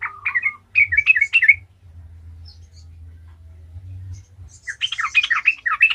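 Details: Yellow-vented bulbul singing as a lure recording to provoke other bulbuls into singing: two bursts of bubbly, chattering phrases, quick and jumpy in pitch, separated by a pause over a faint low hum.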